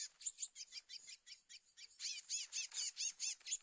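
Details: A chestnut-bellied seed finch (curió), a borrowed bird used to lure wild males in the 2024 trapping season, sings a fast run of bright, sliding whistled notes, about two each second, growing louder and fuller toward the end.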